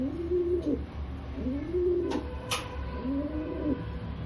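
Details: Rock pigeon cooing in India: three drawn-out low coos, each rising and falling, with a couple of sharp clicks between them over a humming background.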